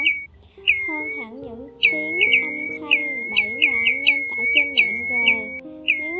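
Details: Pacific golden plover calling to its flock in a 2020 recording: sharp, clear whistled notes that slide downward, given in quick clusters about every second, over soft background music.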